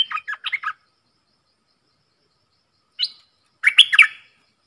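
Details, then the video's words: Caged bulbul in a dok taeng style singing duel with wild birds, dated 03/10/2564: a quick run of chirps, a long gap, one lone note, then a final bright warbled phrase. "เสียงนกกรงดอกแตงEp.82 ดวลเพลงกับนกป่า!!Birds sounds"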